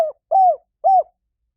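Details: Lure call of a spotted dove: the tail of one note followed by two clear, smooth, arched coos about half a second apart, with no other sounds.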